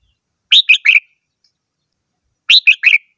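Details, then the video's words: Red-whiskered bulbul repeating a bright three-note whistled phrase twice, two seconds apart, each note slightly lower than the last, in silence. "chim chào mào hót - tiếng chim chào mào hót"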